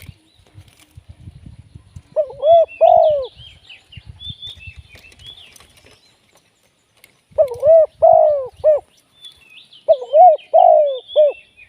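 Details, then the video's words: Spotted dove kept as a trapping decoy, delivering three rhythmic cooing phrases of three notes each, separated by long pauses. Low patter and rustling come first, and small birds twitter faintly higher up. "เสียงนกเขาใหญ่ ต่อสด"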